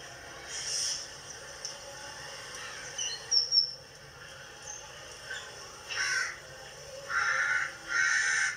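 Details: Rose-ringed parakeet giving harsh, raspy screeches in short loud bursts near six seconds and again twice between seven and eight and a half seconds, after a few thinner, quieter chirps earlier on.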